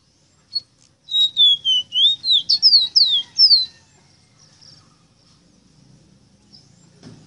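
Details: A ruddy-breasted seedeater delivers a training song for captive birds: about ten quick whistled notes, first sliding downward, then bouncing sharply up and down, over roughly two and a half seconds, followed by near silence.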